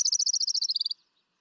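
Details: Orange-crowned warbler song from southwest Idaho summer warblers: a short, clear, emphatic bright trill of about fifteen notes whose pitch falls lower near the end.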